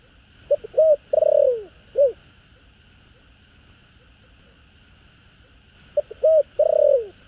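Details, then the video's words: Spotted dove, likely a kept bird, giving the 'thổ đồng' style calling coo with two trailing notes, used to stir up wild doves. Two low phrases: short hoots, a long wavering falling coo, then clipped short notes. A steady faint hum underneath. "Chim cu gáy GÁY GỌI 2 HẬU giọng THỔ ĐỒNG Chuẩn . Tiếng cu gáy thổ đồng kích bổi"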